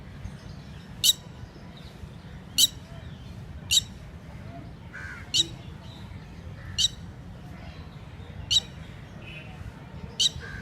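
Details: Red-wattled lapwing (Titodi) at a lake in India, during mating activity: sharp, piercing call notes about every one and a half seconds, eight in all, over a steady rushing background hiss.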